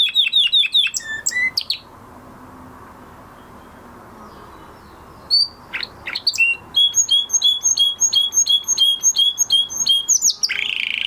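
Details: A canary sings after the moulting period: quick trills, a silent gap of a few seconds, then a long series of crisp repeated high whistled notes ending in a buzz.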